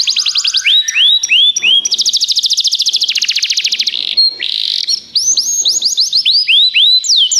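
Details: Belgian canary, a tutor bird singing at length: rising looped whistles, a long fast buzzy trill of evenly repeated notes, a brief harsh burst, then loud repeated upward-curving whistled notes.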